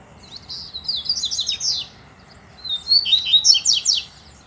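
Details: Double-collared seedeater males countersinging against a loose male: two loud bursts of quick, high, slurred whistles and buzzy trills, each about a second and a half long, separated by a short pause.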